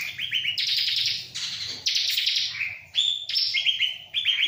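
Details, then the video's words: Vigorous ciblek (bar-winged prinia) song: buzzy, rapid chatter alternating with clear down-slurred whistles, delivered in dense phrases about a second long over faint background hum. "Burung CIBLEK ga stress sama jalak"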